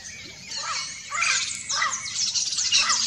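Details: Wild turquoise-fronted amazon (Amazona aestiva) giving a harsh, chattering run of squawks and squeals, broken into bursts about every half second, with a faint background hiss.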